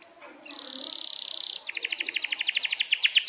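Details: Canary singing sharp cheeping notes and long rolls, used to train young canaries. An upslurred chip gives way to a fast even buzzy trill, then a slower pulsed roll of clipped high notes rising in loudness.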